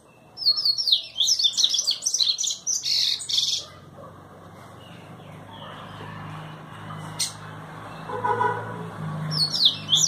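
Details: Trovão-style song of a double-collared seedeater: a rapid, tumbling series of high, sharp twittering notes for about three seconds, then a quiet pause with a low hum, and the twittering starting again at the end.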